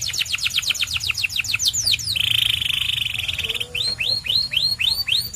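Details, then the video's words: Singing white canary delivers a string of sweeping, curved whistled notes, breaks into a bright sustained buzzing trill, then returns to evenly spaced looping whistles. "The Best White Canary's Singing"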